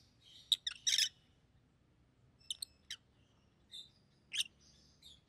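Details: A pair of caged rosy-faced lovebirds makes shrill chirps and brief squeaks, clustered early then spaced out, over a faint low background hum.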